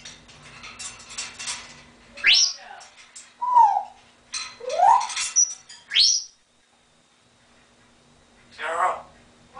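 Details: Captive African grey parrot at home, laughing and quacking like a duck: scratchy noisy chatter interleaved with sharp rising whistled sweeps and short squeaks, then a brief pause and one final rasping burst, over a steady low hum.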